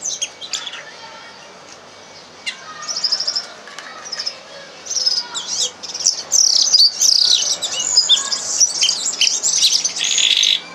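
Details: Red crossbill lesson song meant to teach captive birds: a quiet start with scattered faint chips, then loud, busy high twittering and trilled notes building toward the end.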